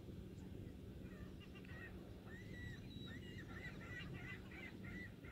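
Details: Piping plover (Charadrius melodus) chicks, two about 3 days old, foraging on rocks exposed by a falling tide, give soft, clear whistled peeps, short notes repeated in loose bursts, over a steady low rumble of wind.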